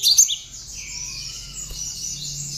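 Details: A tame Java sparrow, hand-reared, singing with mimicked notes of the bar-winged prinia, for use as a tutor or lure for other birds: a quick burst of high, thin chirps, then softer sustained twittering over a quiet background.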